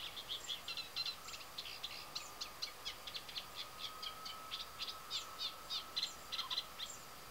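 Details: Eurasian reed warbler song from the Tancat de Milia wetland reserve at Sollana, l'Albufera, during spring breeding after migration from sub-Saharan Africa: long unbroken stream of harsh repeated chirps, a steady faint hum underneath.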